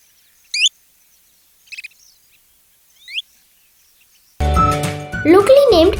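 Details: Kentish plover in Sri Lanka, a small pale shorebird of sandy beaches, mudflats and salt ponds, gives three short, high, thin notes, each a quick up-and-down flick, about a second or more apart; music and a voice follow.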